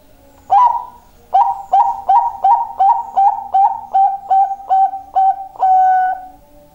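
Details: Zebra dove giving a very loud call: about a dozen short, ringing coos repeated rapidly at an even, steady pitch, ending in one longer held note, with a quiet background.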